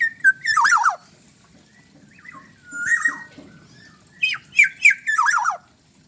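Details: Black-naped oriole native to Bali singing energetically: a rasping downward-sliding phrase, a quieter mellow fluted whistle, then a sharp series of quick notes ending in a harsh scratchy rattle.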